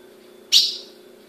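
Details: Single abrupt, high-pitched chip from a female ultramarine grosbeak kept in captivity in Brazil, ringing briefly before fading, over a low background hum.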